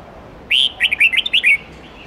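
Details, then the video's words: Red-whiskered bulbul with its wild-standard song of many voices, 8-9-10 note phrasing, for young birds to learn from. A single loud, clear phrase of about six bubbly, slurred whistles is delivered in one second. "Chào mao hót nhiều giọng chuẩn rừng âm 8-9-10 cực hay/Dùng luyện chim non học giọng chuẩn"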